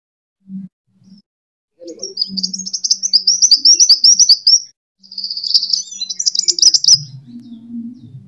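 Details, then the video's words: Sunbird fighting song (kolibri tarung), a pancingan recording used to lure and train birds. High, thin twittering runs of quick slurred notes in two long bursts, with a steady low hum and faint short chirps beneath. "Suara: -*BuRunG*- [Pancingan] ( KOLIBRI TARUNG ) BUAT MASTER"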